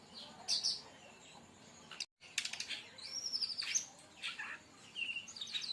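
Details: A 'tembakan' song of a brown-chested jungle flycatcher, used as a lure or tutor for other birds: high sharp chirps, a brief gap of silence, then rasping bursts and thin high whistles.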